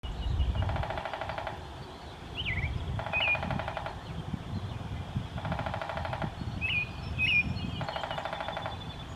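A downy woodpecker drums in four even, rapid rolls about a second long, spaced roughly every two and a half seconds. Other birds chirp between them over a low outdoor rumble.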